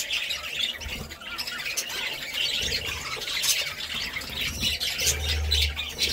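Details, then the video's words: Budgerigar squawks and harsh chirps mixed with continuous twittering, with a faint low hum near the end. "Budgie Sounds"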